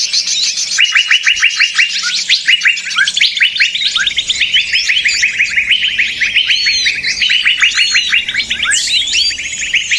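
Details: Bird-trapping lure of small birds calling noisily: after a brief pause, bursts of quick repeated chip notes stream on steadily, layered over higher thin whistles and occasional looping squeaks.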